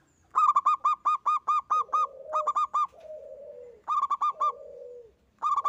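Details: Local zebra dove singing alone and vigorously: long runs of evenly spaced staccato notes, each run ending in a lower, drawn-out rolling coo, the pattern repeating twice.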